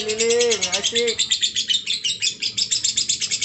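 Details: Lovebird giving its long-lasting ngekek trill: rapid, high, chattering pulses of about seven per second, repeated evenly throughout. A lower tonal sound at the start is followed by steady chatter.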